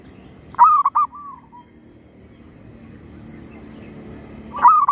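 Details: Lure zebra dove calling while trapping wild birds, unbothered by a tree squirrel; one stuttered cooing phrase with a trailing softer note, then a long pause filled with low rumble before the next phrase starts.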